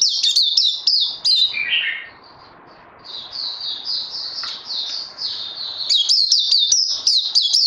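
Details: Songbird still in training after Covid 19, recorded 18 May 2020: bright, high whistled notes sliding down, repeated in quick bursts, with a lower warbled phrase and a quiet pause near the middle.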